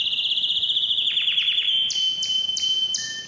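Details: Canary song to excite males and females for breeding: a high rapid trill sliding into falling chirps, then sharp clicks repeated about three times a second over a steady thin whistle.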